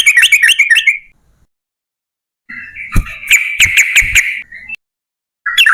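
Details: Yellow-vented bulbul singing as a lure for others of its kind: a rapid bubbly run, a long pause, then a sustained whistled tone with sharp clicking notes and another brief burst.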